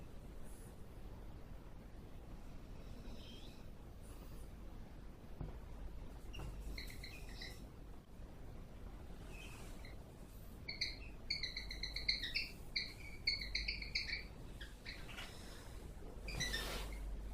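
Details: Cockatiels (Nymphicus hollandicus) in 2014, seemingly kissing aggressively, give quick harmonic chirps in short bursts over a low background hum.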